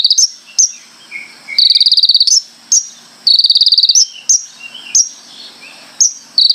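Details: Konin song, a full varied performance: bursts of rapid buzzy trills repeated in pulses alternate with sharp high chip notes and short gaps, with a faint low hum beneath.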